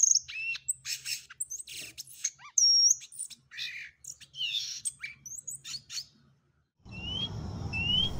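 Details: Violaceous euphonia song in Brazil: a rapid, varied jumble of high chips, buzzy notes and clear whistles, with a rushing noise and two slurred whistles toward the end.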